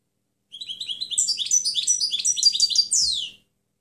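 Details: Clean European goldfinch song used to train other birds: a three-second stream of rapid twittering chirps that grows fuller and brighter and ends in a sharp, descending, buzzy note.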